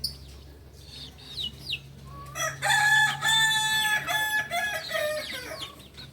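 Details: Native Solok Kukuak Balenggek chicken crowing at dawn: after quiet bird chirps, a loud, rich harmonic crow runs about three seconds in stepped, undulating segments, with a steady low hum underneath.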